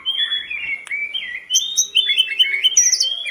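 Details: Short run of hill blue flycatcher song for luring kept birds: fluid, wavering whistles in a steady chain, topped by brief piercing high notes.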